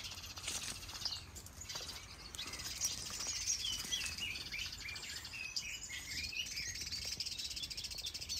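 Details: Mixed birds in a large planted aviary in Denmark, including finches, canaries, goldfinches, gouldian finches, java sparrows and turacos, many breeding. Dense overlapping high chirps and short twittering notes run throughout, with several birds calling at once.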